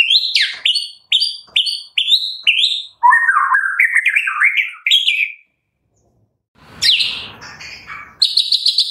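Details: Captive White-rumped shama, Medan type, in full varied song: a series of sharp high whistled notes, then a lower rapid warbling run, a pause, and a harsh noisy burst followed by more high whistles.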